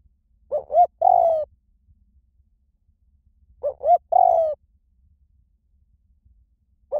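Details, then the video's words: Spotted dove song, 'small voice' type, intended to lure doves and train a decoy to answer. Two full three-note phrases, paired quick coos then a long croo, arrive about three seconds apart, and a third begins at the end. "เสียงนกเขาใหญ่ เพื่อเปิดล่อ นกเขาใหญ่ฝึกต่อให้ขันตาม - เสียงเล็ก"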